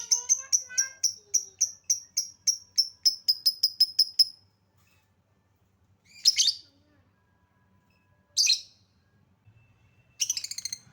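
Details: Lovebird lure recording meant to prompt quiet lovebirds into singing: a fast run of about fifteen high, clear chirps over four seconds, then three short shrill rasping bursts after pauses.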